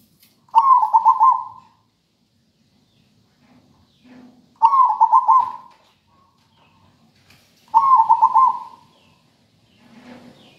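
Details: Zebra dove from local stock singing a melodious, rhythmic song: three separate bubbling coo phrases, each about a second long, spaced roughly three seconds apart, with faint low murmurs between them.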